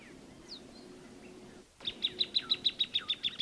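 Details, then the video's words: Scattered faint bird calls, then a plain thornbird breaks into a rapid, regular series of sharp high notes, about five per second, continuing to the end. "Kicauan Burung Plain Thornbird"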